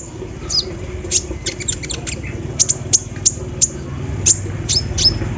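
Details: Morning song of a sunbird (kolibri ninja) placed out in the dew, its song described as holding embroidery-machine phrases; scattered thin high ticks and short sweeps, then a run of evenly spaced piercing chips about three per second, with low rumbling background.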